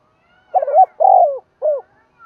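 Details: Spotted dove decoy bird calling to lure wild doves: three loud, low hoarse coos in quick succession, the middle one longest, in near silence.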